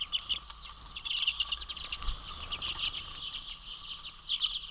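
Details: A large flock of common redpolls at a feeder platform in Manitouwadge, Ontario, on February 27, 2023, with a couple of pine grosbeaks nearby, gives a steady chatter of overlapping short, high buzzy twitters and chips over a low steady hum.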